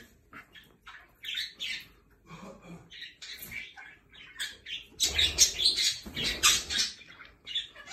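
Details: Jenday conures squawk while having a shower, giving harsh, scratchy squawks in uneven bursts, sometimes several a second, over the hiss and splash of running water.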